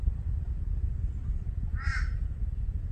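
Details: A single brief, hoarse caw from a Torresian crow near the two-second mark, set against constant low-pitched background rumble.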